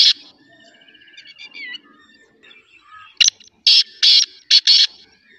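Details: Faint whistles and trills from other birds, then a black francolin breaks in with a loud, rasping sequence of five harsh notes, short and then longer, in a rhythmic, grating phrase lasting under two seconds.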